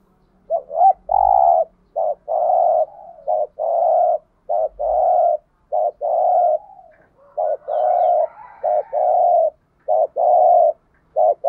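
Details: Decoy spotted dove cooing steadily to entice other doves. A long series of husky coos, short and long notes alternating in a rapid, slightly uneven rhythm, with brief low thumps in the background.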